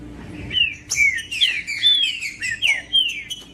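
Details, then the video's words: Green-winged saltator singing in the bush, used to stir up a silent bird: a run of loud, clear whistled phrases sliding downward, several short notes repeated in quick succession over steady faint background hum. "ESQUENTAR TRINCA FERRO RÁPIDO COM TRINCA FERRO FRIO NO MATO"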